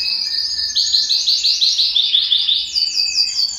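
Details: Belgian canary singing to stimulate males and bring females into breeding condition; a loud, fast high trill of evenly repeated chirped notes, shifting higher near the end.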